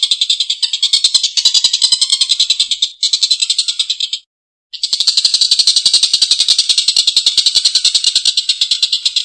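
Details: Collared kingfisher calling with a long, coarse laughing series: rapid grating notes roughly three and a half per second, a short break near three seconds, a half-second silence, then the rasping rattle continues.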